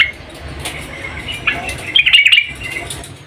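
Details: Female yellow-vented bulbul calling a male: soft scattered twitters, then a short, loud cluster of sharp chirps near the end, set against a low background hum.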